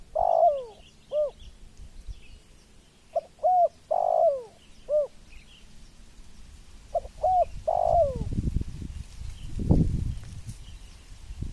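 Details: Spotted dove giving soft hooting coos in short phrases of three or four notes, the phrases separated by brief pauses, each note dipping slightly in pitch; a low rumbling noise rises during the last few seconds.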